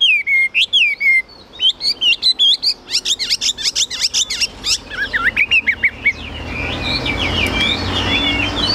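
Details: Chinese hwamei kept as a songbird, singing loud slurred whistles that speed into a rapid chattering run of sharp notes, later continuing more softly under rising background noise.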